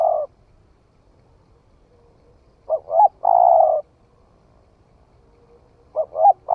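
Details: In a Vietnamese forest trial, a spotted dove that has only recently begun calling repeats its phrase every three seconds or so: two short, upslurred coos followed by a longer, even, husky note.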